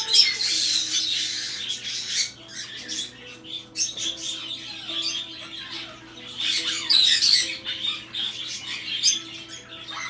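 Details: Hand-tame red-shouldered macaw (Diopsittaca nobilis) filmed in a shop gives harsh, scratchy squawks in uneven bursts over a steady indoor hum.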